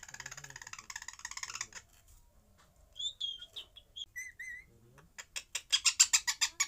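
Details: Parrot chattering in fast pulsed bursts, then level whistled notes and short flat tones, ending in a loud rapid series of sharp clicking chatter.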